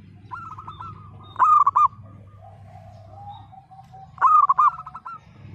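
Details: Zebra dove of local stock in the 'pecah' voice, kept for drawing song from silent, lazy birds: two rolling coo phrases about three seconds apart, each a rapid trill of throaty notes, with a low hum underneath.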